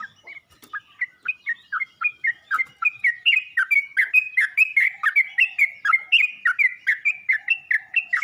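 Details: Yellow-vented bulbul calling other bulbuls: a long run of quick, bubbly chirps rising and falling between notes, about two per second, steady and loud throughout with no other clear sounds.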